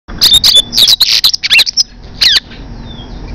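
Double-collared seedeater singing a quick, jumbled run of high buzzy chirps and twittered notes, a burst of rapid phrases lasting about two seconds.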